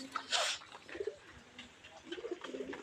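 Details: Pigeon (Columba livia), coo.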